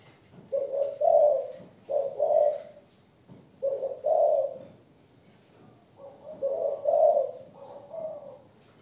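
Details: A young Malaysian spotted dove hen coos in thổ style: four low, husky phrases, each a short lead note followed by a fuller coo, spaced one to two seconds apart, the last slightly longer and trailing off.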